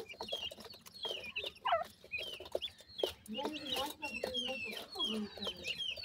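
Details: Grey francolin family with feeding chicks, whose high thin slurred peeps come in irregular bursts over low guttural clucks, mixed with sharp clicks and rustling.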